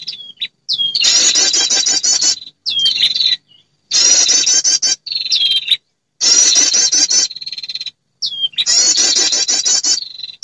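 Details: Calls of a female prinia meant to bring in males as a lure: sharp upslurred notes lead into dense, rapid, high pulsing trills, repeated about every two seconds with flat buzzy tails.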